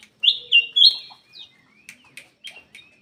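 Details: Vigorous black-crested bulbul song played to encourage reluctant birds: three loud, slurred whistles in quick succession, followed by softer chirps and brief sharp notes.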